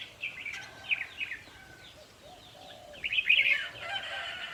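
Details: Red-whiskered bulbuls at a decoy-trapping setup, recorded to play to caged birds and excite them; bright warbled phrases come in two bursts, with a quiet gap between and soft low cooing notes underneath.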